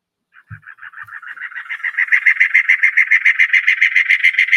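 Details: Cactus Wren from Arizona giving its raspy, churring song: a rapid run of harsh, grating notes, about three or four a second, swelling steadily louder. A soft thump sounds near the start.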